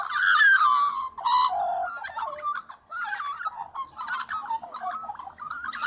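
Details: Little magpies singing in the morning: loud, varied, harmonic warbling notes that slide and bend between low and high pitches, given in uneven bursts with short pauses.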